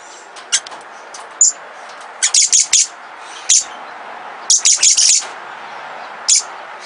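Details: Pair of captive little lorikeets, small Australian parrots, uttering piercing high-pitched screeches in quick clusters of three or four, with single sharp notes between and short pauses, indoors with low background hiss.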